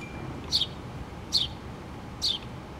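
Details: House sparrows, a mother and her two babies nesting in a pole, recorded 8-3-2017: three short, high, downward-sliding chirps about 0.8 seconds apart over a steady low background rumble.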